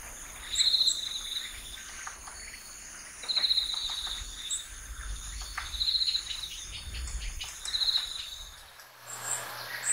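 Varied tit giving short, high, rapid phrases of thin notes, repeated about every two to three seconds, over a steady high insect hum.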